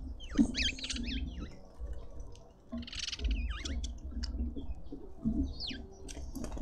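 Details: Red-winged starlings feeding in a South African suburban garden in Pretoria make clusters of sharp, bending whistles with a slightly harsh edge, repeated in short bursts amid soft background bird chatter and low hum.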